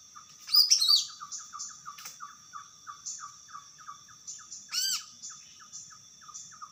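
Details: Greater green leafbird singing lively in the wild. A bright burst of tumbling whistles comes near the start, then evenly spaced short notes repeat about three per second. A sweeping loud phrase rings out near five seconds over a thin, steady high drone.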